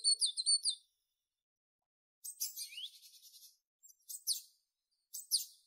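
A tit gives bursts of thin, very high chirps in quick doubled notes, then scratchier twittering phrases after a short pause. No other sounds are heard.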